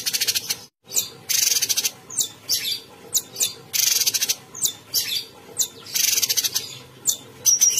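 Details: Caged cucak cungkok bulbul singing constantly: rapid harsh, buzzy bursts alternating with sharp high chirps and short whistled notes, in irregular phrases about every half second, with a brief silent gap near the start.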